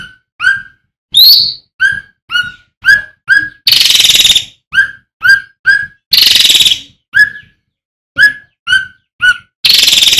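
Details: Male striated swallow in full song: loud, short downslurred whistles repeated in a steady series, with one higher squeal and several harsh, broad rasping bursts between them.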